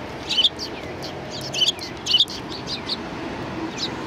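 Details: Sparrows greeting visitors at a Tenmangu shrine on 7 January 2019; short, bright chirps come in clustered bursts about every second and a half, with fainter scattered chips between them over a soft background hiss.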